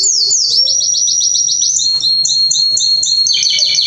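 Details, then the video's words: A Belgian canary sings high and bright: a quick run of repeated chirps, then clear whistled notes and a rolling trill, over a faint low hum. "Canto de Belga"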